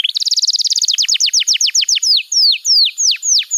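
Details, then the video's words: Training song for young canaries: a canary sings a rapid run of descending whistled notes that gradually slows into spaced, sweeping downslurred whistles. "Masteran Kenari PAUD & Pancingan Kenari MACET BUNYI‼️"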